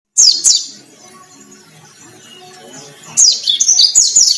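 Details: White-breasted white-eye in energetic, vigorous song, said to be battle-ready: two short bursts of high, rapid twittering chirps, then a longer run of tumbling descending notes after a quiet gap.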